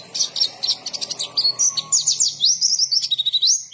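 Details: Rapid white-eye song, called 'gacor ngalas': a fast string of high chirps that runs into quick, sliding whistled trills, over a low background hum.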